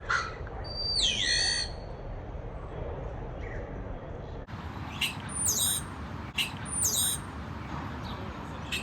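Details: Common starling at a tree hole gives a harsh, harmonic downslurred call, then two high whistles that drop in pitch, with scattered clicks over a steady background hiss.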